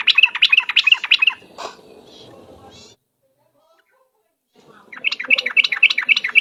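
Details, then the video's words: Lure recording of a yellow-vented bulbul pouring out fast, bright chattering phrases, with a pause before a second lively burst; steady low hum underneath. "suara pikat trucuk ropel..super gacor"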